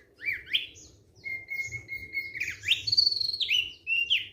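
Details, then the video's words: Thick-billed white-eye singing, likely a kept bird: short rising sweeps, a long even high whistle, then a rapid tumbling sequence of slurred notes, with soft background hum. "KICAUAN SANTAI OPIOR PARUH TEBAL"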